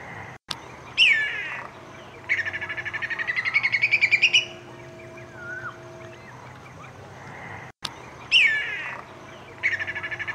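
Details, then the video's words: Whistling kite, an Australian bird of prey: a clear descending whistle, then a rapid series of shrill notes that rise in pitch. The pattern is heard twice over ten seconds against a faint steady hum. "Whistling Kite Sound"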